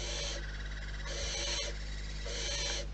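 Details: Barn owls at a wild nest produce rough, breathy hisses, three bursts of about half a second each, over a constant low-pitched hum.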